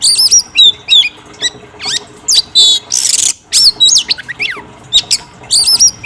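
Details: Singing female oriental magpie-robin, meant to make the male reply: bright rising and falling whistles in short bursts, sharp ticks and a rasping noisy buzz near the middle.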